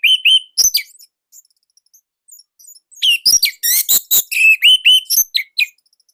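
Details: Orange-headed thrush song recorded in Indonesia: two clear whistled notes and a sharp chirp, nearly two seconds of faint ticks, then a dense loud volley of buzzy rasps, chirps and rising whistles.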